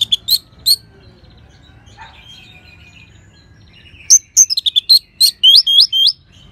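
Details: An orange-headed thrush (Geokichla citrina), used as master and lure song for training birds, sings bright, high whistled phrases: a few opening notes, a pause, then a rapid burst of varied chirps and up-down slurs.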